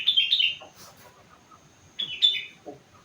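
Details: Young sooty-headed bulbul, four months old, singing rengganis imitation: two short bright whistled bursts about two seconds apart, each with quick dropping notes.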